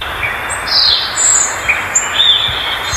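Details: Violaceous Euphonia giving scattered high, thin whistles and short slurred notes, some rising and some falling, spaced irregularly over a steady hissing background.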